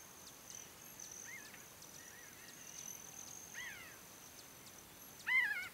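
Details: Pinyon Jay flock foraging and flying near the Great Sand Dunes, San Luis Valley, southern Colorado: scattered nasal, harmonic calls, faint at first, with one louder call near the end, over a steady high metallic trill like a Broad-tailed Hummingbird's.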